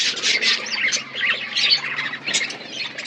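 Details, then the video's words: Budgerigars in a colony setup giving fast squawky chirps and warbles, overlapping continuously above a faint low hum. "Budgies colony setup birds chirping sound"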